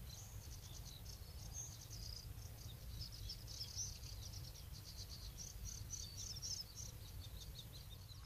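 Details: Bluethroat at Woumen in 2018 delivering rapid series of high, ticking and buzzy repeated notes in long chattering runs, set over a steady low background hum.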